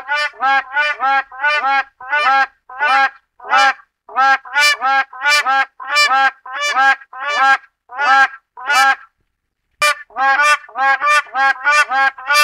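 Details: West African crowned crane giving a long run of nasal, trumpeting honks, each note buzzy and harmonic-rich, closely spaced at about one and a half per second with one short gap near the middle; otherwise clean background.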